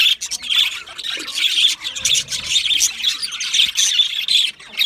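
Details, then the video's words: Australian budgerigars chattering together, a dense stream of overlapping high chirps, squawks and warbles running without pause, with a few sharper louder notes standing out from the flock. "Australian Budgie parrot chirping sounds | beautiful Budgie birds sounds"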